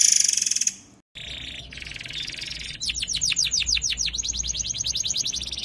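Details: White-rumped shama master recording for tutoring songbirds, tembakan style. A harsh high buzz breaks off, then a grating lower phrase follows, then a quick run of sharp, downslurred chips that blurs into a dense, harsh trill.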